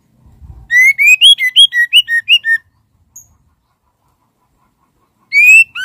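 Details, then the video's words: Female white-rumped shama calls to the male with a run of about ten clear, evenly paced whistled notes, rising and falling in turn. After a pause, a long rising whistle starts the next phrase. "SUARA BURUNG MURAI BATU BETINA MANGGIL JANTAN"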